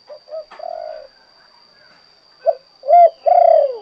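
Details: Mellow coos from a spotted dove singing in kuk 2 style: the tail of one phrase with a long burry coo, then after a short pause a fresh rising coo and a long rolling coo, over a faint steady whine.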